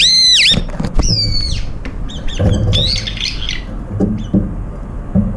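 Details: A flock of brown-eared bulbuls eating together, competing for food, including one disabled in its left foot. Loud swooping screech at the start, then quieter scattered chirps over low rumbling and shuffling background noise.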